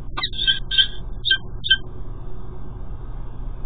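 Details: Male peregrine falcon at a cathedral nest, calling as he delivers food; a quick run of sharp, nasal, harmonic chips, about five notes within under two seconds, then a low hum and faint rumble.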